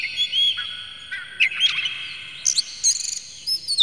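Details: Oriental magpie-robin song used to stir other magpie-robins: long steady whistles broken by short slurred notes, sharp ticks, and a brief rattled burst.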